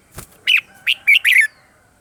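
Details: Red-whiskered bulbul singing a morning training song: a soft tap, then a crisp phrase of four lively, slurred whistles over about one second.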